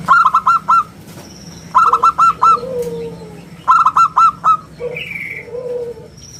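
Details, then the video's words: Local zebra dove in full 'round crystal' song, kept as a lure and master for training birds: three bursts of about five rapid, even hoots, roughly every two seconds, softer low notes between them. "suara bulat kristal - perkutut lokal gacor suara istimewa buat pancingan dan masteran"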